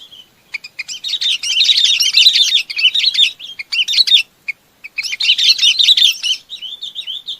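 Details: Chinese babax calling its flock, a dense run of rich chattering, warbling notes in long bursts broken by short pauses, ending in a few clearer whistled notes.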